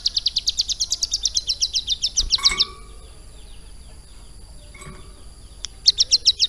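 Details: Caged ciblek gunung (prinia) trained about three months to mimic lovebird song: rapid chattering bursts of high notes repeated about four per second, a pause with faint clinks, then another short chattering burst.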